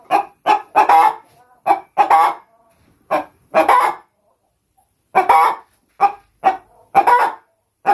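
A Brahma chicken gives loud, harsh, clucking cackles in uneven bursts of two to four notes, separated by short pauses.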